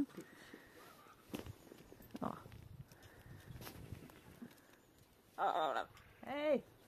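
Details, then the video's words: Two pet macaws flying free outdoors on a sunny, nearly windless February winter day, playful and chattering; after faint quiet sounds and a woman's voice, two loud harsh squawks with arching, ringing tones close the recording. "Arorna njuter en solig vinterdag i Februari, flyger och är pratglada gojor"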